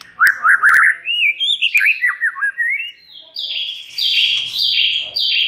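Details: White-rumped shama song intended to make other shamas reply: a fast run of short whistled notes, falling twisting slurs, then a series of harsh, buzzy descending notes repeated about twice a second.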